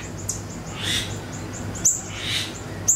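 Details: Siri-siri (ashy tailorbird) lure recording for songbird training: two bursts of high, harsh chirping with sharp clicks, a soft row of thin high pips between them, and a constant low hum underneath.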